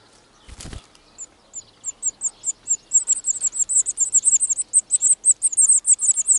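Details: European serin at its nest in the wild, among the early clutches of spring 2018; after a dull thump, very high thin notes start sparse and quicken into a rapid, sizzling, jingling series.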